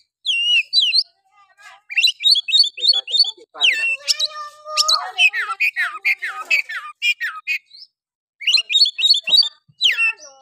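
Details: Oriental magpie-robin giving harsh song to provoke other males: long run of varied whistled phrases, rattles and slurred notes, with a brief lower wavering passage mid-way and chirpy phrases returning at the end.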